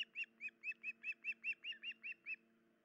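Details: Osprey at a nest in the early hours of 10 July 2019, female with an injured leg: eleven loud, evenly paced whistled chirps over about two seconds, then quiet.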